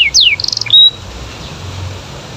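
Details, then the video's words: Canary singing to prompt other canaries to answer: a short burst of high descending sweeps, a rapid buzzy trill and a clear whistled note, lasting under a second, then quiet background hiss. "Suara Kenari Gacor Bikin Kenari Lain Terpancing Untuk Nyaut"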